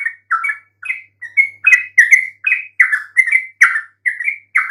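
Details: A yellow-vented bulbul's bubbly song, used to trigger answering calls from silent birds: short, throaty, slurred notes spaced roughly every half second, some harsher and squawkier than others.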